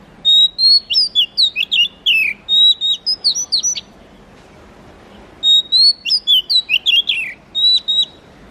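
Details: Oriental magpie-robin repeating a lively whistled phrase of about a dozen sharp, high notes with rising and falling slurs, then a pause of some two seconds before another similar run.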